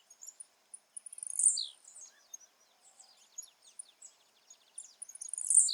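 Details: Blue-black grassquit singing wild in natural habitat, soft and distant: short buzzy bursts of high rapid notes sliding downward, given twice about four seconds apart, with scattered faint ticks and chirps between them in a quiet natural setting.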